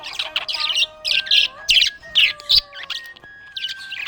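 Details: Happy budgerigar chirping: bursts of bright, high chirps and warbled notes come in quick irregular runs with brief pauses between, over faint steady tonal humming lower down.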